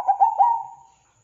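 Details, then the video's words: Zebra dove (perkutut) song used as a lure to provoke other zebra doves to sing: three quick, mellow, low cooing notes slurring into a drawn-out final note that fades within about a second. "PANCINGAN PERKUTUT GACOR DOR"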